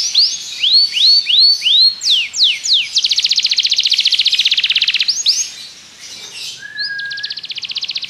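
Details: Belgian canary singing as a tutor for other canaries: arched whistles in series, a dense rapid trill, a soft low drawn-out note, then another quick roll.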